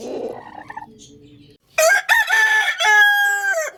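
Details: Loud rooster crow, a short rough opening note followed by a long ringing held phrase that ends abruptly. Softer cooing and background murmur come before it.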